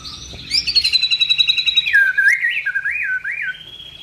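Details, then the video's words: White-rumped shama (murai batu) singing a varied phrase: high sliding whistles, a buzzy rapid series, then lower wavering looping whistles rising and falling. "Tembakan & Isian Murai Batu // AmAzing Bird chirping like no tommorow"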